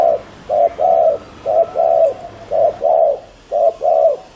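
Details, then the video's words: Decoy spotted dove giving rapid 'gù' coos meant to draw in wild doves: paired soft, rounded low notes, a short one followed by a longer swelling one, repeated steadily. "Chim cu gáy GÙ ( bo ) TỐC ĐỘ kích bổi,cu gáy mồi cây"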